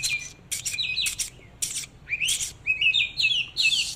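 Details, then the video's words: A displaying Oriental magpie-robin sings while dancing, a rich, varied run of sweet whistles, slurred rising notes and harsh buzzy bursts, delivered in quick phrases with brief pauses. "chòe than múa hót"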